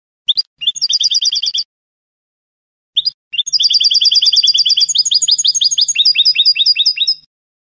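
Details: Spanish canto de salón goldfinch song: fast, even trills of sharp twittering notes, a short pause, then a longer, steadily pulsing liquid twitter of about three notes per second, against a silent background.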